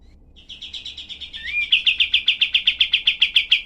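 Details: Kapas tembak, the cream-vented bulbul, in a tutor recording of sharp, harsh 'tembakan' variations. A quieter rattling series and a rising whistle lead into a louder burst of rapid scratchy notes, close to four per second.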